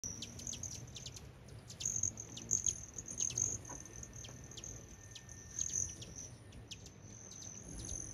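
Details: Hummingbirds busy in the mountains in June give sharp, very high, dry chips, scattered irregularly and sometimes in quick pairs, over a steady high insect-like hum and faint background noise.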